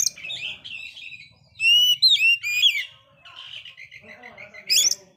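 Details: Oriental magpie-robin in energetic song after failing to moult, used as a lure for dispirited kacer: soft chattering, then a loud burst of clear looping whistles, softer warbling, and a final sharp note.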